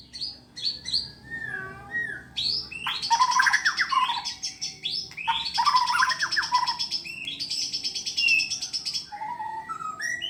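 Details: White-rumped shama, contest-ready and in full voice, pouring out long dense phrases packed with high buzzy trills over lower whistled notes, broken by brief pauses, ending with softer descending whistles.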